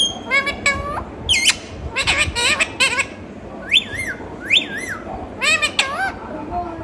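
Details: Talking parrot producing a string of short, speech-like syllables and clear rising and falling whistles, in separate bursts over several seconds, over a steady background of muffled noise.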